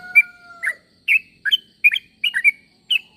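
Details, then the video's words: Yellow-vented bulbul calling other bulbuls to reply: a steady pure whistle, then a lively string of bright, varied chirps and slurred notes, some with a rising flick. "Suara pangilan burung trucuk.semua trucuk pasti nyaut dengar suara trucuk ini"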